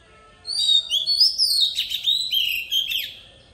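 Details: Decoy Oriental magpie-robin giving its wild-type song for training young birds' voices: sweet high whistles sliding up, then a dense cascade of chirps, trills and rattling notes over roughly three seconds, with a quiet background.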